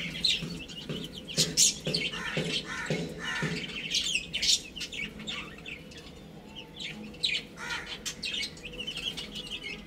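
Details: Chicks of domestic chicken eating and playing: scattered thin, high chirps rise and fall between quieter gaps, over a low murmur of pecking and shuffling sounds.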